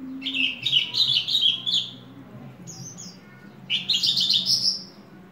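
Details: Ringed Horsfield's bush lark kept as a hobby bird singing a run of fast, high, warbled chirps. A short pause follows, then another rising, buzzy-edged burst of notes.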